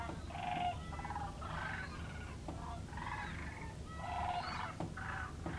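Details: Sandhill cranes walking on the ice of the Platte River give rolling, trumpeting rattles in bursts about a second long, several birds overlapping, over a steady low rumble of wind.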